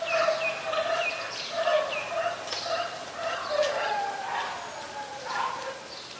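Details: Thailand, Ubon Ratchathani, 26 December 2020: a White-vented myna gives continuous gurgling, nasal chatter. Rolling, warbled squawks run with few pauses, growing softer toward the end.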